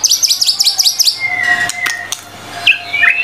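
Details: Murai batu (white-rumped shama) tutor song: quick high stuttering chips repeated rapidly for a second, then a long level whistle, clicks, and a few short rising and falling whistled notes.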